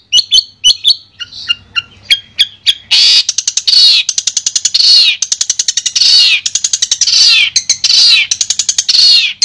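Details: Long-tailed shrike singing, played as sound therapy for a shrike that has stopped singing: sharp high clicks and chips give way to loud, harsh, buzzy rasping phrases repeated roughly every second, interspersed with rapid ticking notes.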